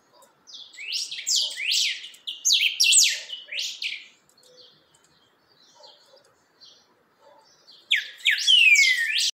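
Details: Rufous-bellied thrush, known locally as chalchalero, steadying its song: a fast run of piercing descending notes, a long near-silent stretch with soft low sounds, then a renewed loud burst ending in a sliding whistle.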